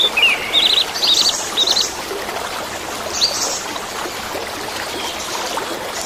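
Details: Song of an orange-headed thrush, meant as therapy for caged birds gone quiet: a burst of rapid stuttering high notes in the first two seconds, one brief phrase later, and continuous stream-like water noise throughout.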